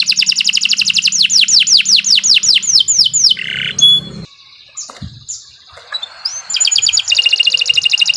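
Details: Long canary song used as masteran, sung in continuous 'gacor' style: fast falling sweeps and a buzzy note, a brief quieter pause with scattered notes, then a renewed rapid trill; low hum underneath.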